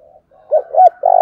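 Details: Decoy spotted dove in urging, calling coo: faint low notes, then a short two-note coo leading into a longer buzzy coo that is cut off abruptly, with a brief click at the end.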